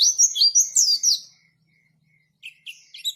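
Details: White-eye in 'ngalas' style song: a quick burst of high, sweeping whistled chirps for just over a second, then silence, then a few softer chirps.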